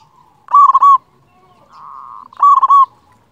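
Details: Local zebra dove with a loud voice, a master song to make lazy birds sing: two strong stuttering coo phrases separated by a soft, steady humming coo.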